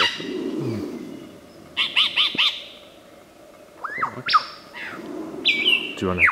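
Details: Lyrebird imitating an assortment of calls: a trio of rapid chirped notes, a rising slurred whistle, then long flat whistled tones ending in a fluttering burst, with low rumble underneath.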